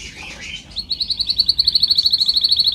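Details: Canary singing as a training example: a brief mixed warble, then a sustained high, rapid pulsed trill of evenly repeated notes that swells in loudness.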